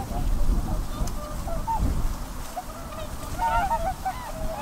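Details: Whooper swans honking against heavy low wind rumble, the calls growing into a cluster of overlapping bugling notes toward the end.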